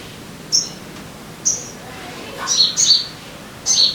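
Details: Sogon calls played to encourage caged birds to sing: isolated sharp, high chips spaced apart, then paired downward-slurred notes near the end, over a quiet background.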